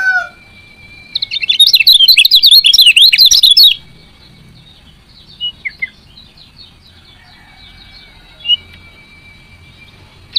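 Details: Female lemon-bellied white-eye chirps that stimulate reluctant males to sing: a dense, fast, high twittering burst lasting about two and a half seconds, followed by scattered faint short notes and quiet.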